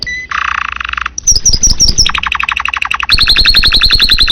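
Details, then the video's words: Domestic canary pouring out lively song for use as a tutor: a brief buzzy trill, rapid sharp whistles, then a rolling series of repeated notes and a high fast chirping tour. "kenari kicauan gacor"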